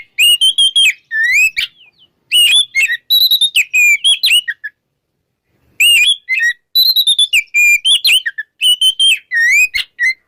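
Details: Oriental magpie-robin giving its ngeplong morning song as a prompt for silent magpie-robins; two long stretches of loud, varied slurred whistles separated by a gap of about a second.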